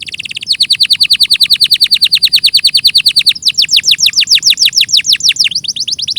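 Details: Canary song with an extended, very even trill of downward-sweeping notes, about six per second, followed by a higher, faster trill of curling notes.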